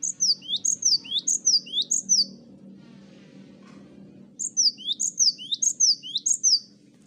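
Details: Cinereous tit master recording of several birds singing energetically together, meant to prompt birds to sing. High, sharp two-note phrases, a falling whistle then a rising slur, repeated rapidly in two bursts of about five phrases split by a pause over low hum.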